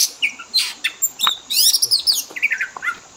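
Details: Pet Oriental magpie-robin singing a varied mimicry-rich fill-in song meant to coax birds into imitating. Scattered high notes early, then a dense burst of fast buzzy trills and short whistles in the second half.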